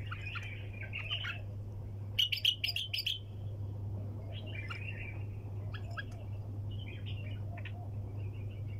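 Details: Bulbul in sayyad-style song. Scattered chattering warbles with a loud burst of clicky, ringing notes in the middle, then softer bubbling phrases, all over a constant low hum.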